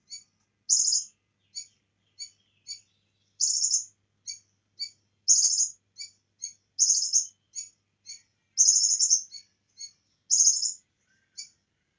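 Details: Lively bar-winged prinia song filled with cililin phrases: very high rattling buzzes alternate with short sharp chips, roughly a note or phrase every second, with no other sounds.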